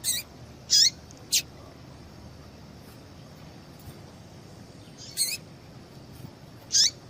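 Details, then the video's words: Female yellow-bellied seedeater chips meant to get a male singing: about five high, sharp notes sweeping down, a quick cluster at the start, then two more after a pause of several seconds, with quiet hiss throughout. "PIADO DE FÊMEA DE PAPA CAPIM PARA DEIXAR SEU PAPA-CAPIM DOIDO PARA CANTAR LOGO!"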